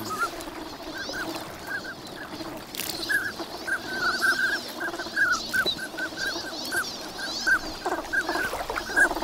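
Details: Wintering migrant ducks at Nagahama on Lake Inawashiro, Japan, in the morning in fine weather, with swans flying in. Repeated short nasal calls from many birds at once over a steady hum of background noise.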